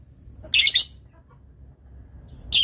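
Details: Lovebird kept as a master tutor bird, known for long chatter, uttering two short, harsh, shrill screeches separated by a quiet pause.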